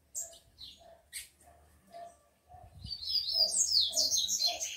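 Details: Tico-tico, or Rufous-collared Sparrow, described as a fired-up male with lively females, kept by a bird breeder: a few spaced soft chips, then a loud, dense, high twittering run of rapid notes filling the second half.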